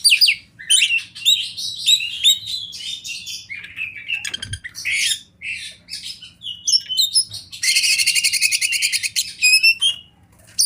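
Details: Oriental magpie-robin of the fighter type singing continuously: chattering whistles, harsh rattles and a long fast buzzy trill near the end, with a brief thud midway and steady faint hum.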